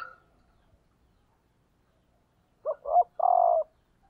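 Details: One clear coo phrase from a female spotted dove kept as a decoy to stimulate males: two quick low notes, then a sustained throaty coo, after quiet.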